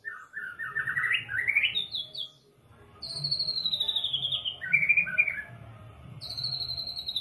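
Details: White-rumped shama song used as a masteran to spur birds into singing their full repertoire: accelerating rising chirps, a pause, a long descending whistle, warbled lower notes, and a final high whistle, over a faint low hum.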